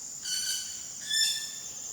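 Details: Wilson's bird-of-paradise in West Papua, recorded between late July and mid August: two harsh, buzzy notes rich in overtones, about 0.7 seconds apart, over a steady high insect whine.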